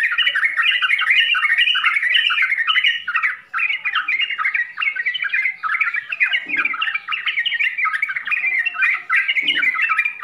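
Yellow-vented bulbul song: a dense, nonstop stream of bright, bubbly chattering and quick whistled phrases, with a few low thumps in the background.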